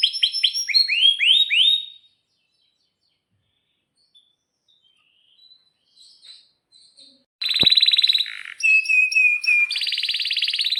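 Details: Canary in lure song for teaching young canaries and stimulating silent ones: a run of quick falling chirps, a long near-silent gap with faint notes, then resumed rapid trills and whistled phrases with one sharp click.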